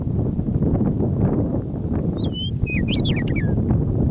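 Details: Prairie meadowlark near Michichi Dam, Drumheller, Alberta, Canada, singing on an early spring evening after winter: a single song of two whistled slurs, then a rapid cascading, downward-sliding phrase, heard over a dense low-pitched background rumble.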